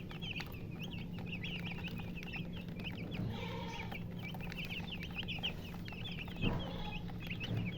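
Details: Chicks peeping beside a hen: many rapid high cheeping notes, rising and falling, run continuously through the clip, with a low hen cluck near the middle and a steady low hum underneath.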